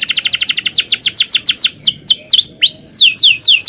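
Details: Canary tutor recording for young birds learning song: rapid repeated falling chips slowing into drawn-out swooping whistles and a rising slur, then more downslurred notes, with faint low background hum.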